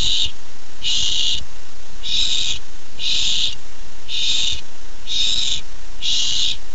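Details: Owlet of the barn owl, excited before receiving its first treat at the nest on July 13, 2015: seven harsh hissing screams in an even, rapid series.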